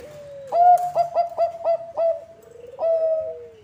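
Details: Bangkok zebra dove, recording used to lure other zebra doves: a burst of six quick, ringing staccato coos, a short rolling trill, then a final longer coo dropping slightly at the end.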